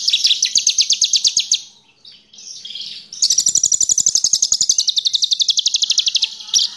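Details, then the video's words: Horsfield's bush lark, a small caged bird used as a lure to set other birds singing: loud rapid trills of buzzy high notes, about four per second, with a short break, then a longer fast run of pulsing notes. "BRANJANGAN PAS BUAT PANCINGAN 100% LANGSUNG BUNYI"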